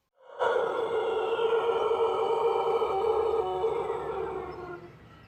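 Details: Pelung rooster from Plered in Purwakarta Regency, crowing one sustained, full-bodied note. It starts abruptly, holds steady for about four seconds, then tapers and fades gradually. No other sounds stand out.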